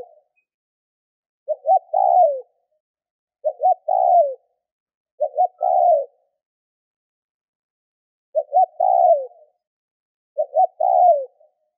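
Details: Spotted dove coo used to stir other doves into calling, five phrases about two seconds apart with one longer pause; each is two quick clipped notes then a long, slightly wavering note sliding down. No other sounds.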